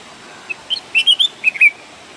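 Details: Red-whiskered bulbul, naturally recorded, giving a quick bubbling phrase of about seven sweet whistled notes lasting roughly a second, pitch hopping up and down, against a low even hiss.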